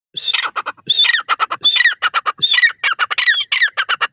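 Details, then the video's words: Male black francolin, the desi teetar, calling: loud, harsh, grating phrases of rapid clipped squawky notes with short bursts about every second and scratchy falling slurs between them. No other sounds are heard. "nar teetar ki awaz"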